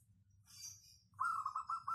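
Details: Local zebra dove with a crisp, full voice: after a second of low hum and faint high hiss, a fast rolling coo phrase begins and runs to the end.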